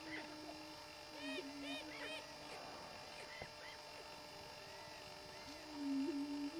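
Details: Greater prairie chickens displaying on a lek during mating display: bursts of clipped, rising cackles and whoops early on, scattered higher calls, then a loud low moaning boom near the end.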